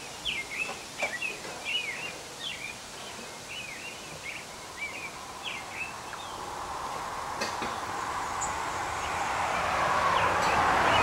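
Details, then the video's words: American robin singing its song, rendered as "tû-tu tûlulû"; a run of short slurred whistled phrases, rising and falling, delivered rapidly for several seconds, then fading as a broad rushing noise builds toward the end. "American robin singing. merle d'amérique en train de chanter"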